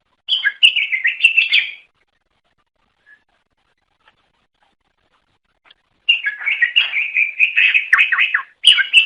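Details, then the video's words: Song of a greater green leafbird meant to draw in others: a dense chattering burst of chirps, four quiet seconds, then a long lively stream of varied trilled notes. "Suara Kicau Burung Cucak Ijo Durasi Panjang Untuk Memikat"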